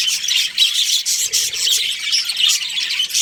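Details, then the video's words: Budgies kept as a breeding pair chirp in a steady, busy stream of shrill, grating tweets and short squawks, bursts pulsing about once a second. "Budgies Chirping Sounds"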